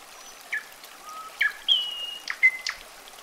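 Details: Common nightingale singing: a varied series of pure whistled notes, some long and level, others short and sharply falling, mixed with brief clicks, delivered in separate bursts against a quiet background hiss.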